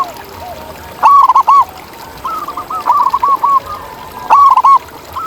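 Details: Free-living zebra dove cooing outdoors: a strong, quick run of round hooted notes, then a quieter wavering sequence, then the loud stuttered phrase again near the end. Faint cooing from more distant doves sits underneath.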